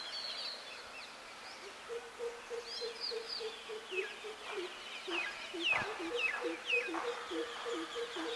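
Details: Greater coucal, also called crow pheasant, gives a long series of low, hollow, evenly spaced notes repeated about twice a second. Higher chirps and trills from other birds sound in the background.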